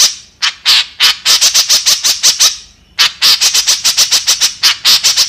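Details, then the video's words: Harsh chattering song of a white-breasted woodswallow: rapid buzzy notes in two bursts separated by a brief pause near the middle. "Suara Burung Kekep Gacor | Kicauan Burung Kekep Gacor"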